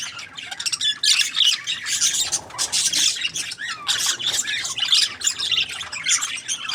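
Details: Budgerigars keep up a scratchy, high twittering chorus in pulsing bursts, squawks and warbles overlapping across nearly seven seconds.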